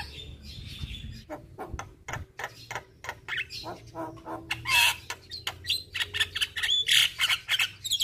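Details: Javan myna in a therapy recording for stressed mynas that no longer sing, played mornings and evenings. Harsh chattering, rasping squawks and short clicks in an irregular burst, with an occasional high whistled note.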